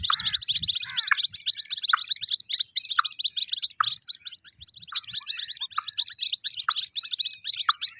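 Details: Shrill, rapid chirping of white-breasted waterhen chicks, a crowded chorus of high thin notes with scattered lower downslurred squeaks and faint low rustling in the background.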